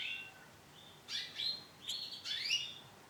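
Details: Female canary of the isabel colour sounding a soft steady note, then a quick series of sharp, sweeping tweets in three clusters, each a fraction of a second, over a quiet background.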